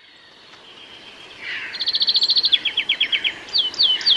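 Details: A European greenfinch in a UK garden sings fast, dry trills that shift pitch: a high rattle, a lower series of notes, then quick rising-falling twitters over a faint thin whine.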